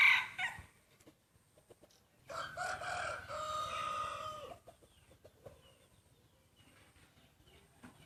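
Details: Rooster in a crowing contest between breeding cocks: a quieter, more distant crow lasting about two seconds, with a long drawn-out middle. Faint clucks and rustling follow.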